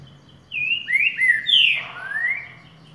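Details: Green-winged saltator, a song style called boca mole boi or boiadeiro: loud whistled phrases of long slurred notes, first falling then rising, sweeping between mid and high pitch, with faint low hum beneath.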